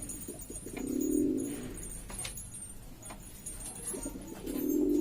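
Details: Lombok domestic pigeons of several kinds in a noisy group: two swelling, rolling coos, one near the start and one at the end, with quieter murmuring and faint ticks between.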